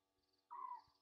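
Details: At night by a waterhole on Djuma Game Reserve, Sabi Sand, South Africa, 27 August 2023, an Egyptian goose gives a single short, hoarse, falling honk against constant hum and a faint wavering background chorus.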